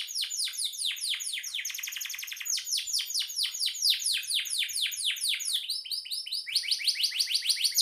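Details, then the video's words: Canary in lively song, used as master song for songbirds: a continuous stream of quick, sharp, repeated downward-sweeping notes with rolling trill passages, the phrases changing pitch every few seconds. "Suara burung kenari gacor"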